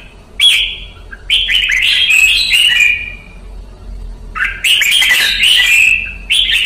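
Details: Red-whiskered bulbul, kept in Vietnam for song training, pours out lively whistled warbles in two long bursts separated by a brief pause, notes sliding up and down.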